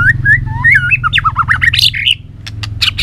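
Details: White-rumped shama in fighting song for voice training: clear rising whistles that run into a fast string of looping, warbling notes, climbing higher and ending in sharp clicks and high chips.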